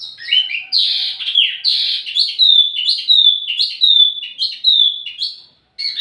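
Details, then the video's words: Wambi mini song used as lure and tutor audio for tledekan birds: a varied run of high whistled notes, some swooping down and others sliding, repeated about once a second, with a short pause near the end. "wambi mini burung pancingan sekaligus masteran buat tledekan anda"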